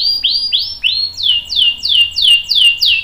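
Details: Canary song for tutoring young birds: a slow series of loud, clear downslurred whistles, about three per second, each sweeping down then leveling off.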